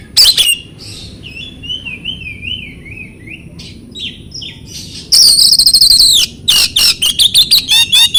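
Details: Oriental magpie-robin training song meant to make silent birds respond: a sharp opening note, a long wavering zigzag whistle, then a harsh buzzy burst and a series of loud rapid repeated notes.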